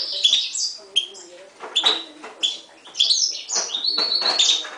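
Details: Song of a mule, a Himalayan goldfinch crossed with a timbrado canary, bred in 2011: bright twittering phrases, sliding whistles and buzzy notes with quick stops between bursts, plus faint low murmuring underneath.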